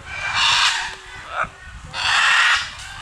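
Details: Scarlet macaws in Punta Islita, Guanacaste, Costa Rica, at a wildlife reserve, coming down from a Guanacaste tree: a pair of rasping, drawn-out squawks about a second and a half apart, with a short, softer harsh note between.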